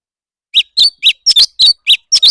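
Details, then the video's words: A leafbird singing competitively. Loud, clear, sharp notes come in a quick series of about seven, some doubled, against a silent background. "Noog kaus tsawb ntsuab quaj//thanh tước hót đấu"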